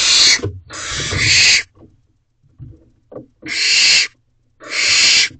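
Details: Barn owl owlets in a nest box at night, 10:20 pm, excited during an adult's food delivery: loud harsh hissing screeches, about half a second to a second long, in irregular bursts with short gaps and soft rustling between.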